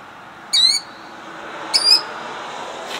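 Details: Killdeer defending eggs at Jackson, New Jersey, 2008: two shrill high cries about a second apart, the second quieter, amid rising background noise.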